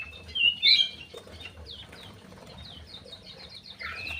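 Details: Aviary crewet opens with two loud, high chirps, then a rapid series of short, even, downslurred notes, ending in a rising whistle.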